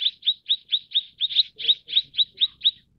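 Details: Mrs. Gould's sunbird (Aethopyga gouldiae), call.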